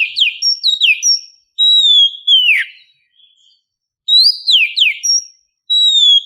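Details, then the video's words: Female oriental magpie-robin in heat calling a male in the morning: short bursts of bright whistles and down-swept notes, with a pause midway before the phrases resume. "Pancingan Burung Kacer di pagi hari langsung nyaut.."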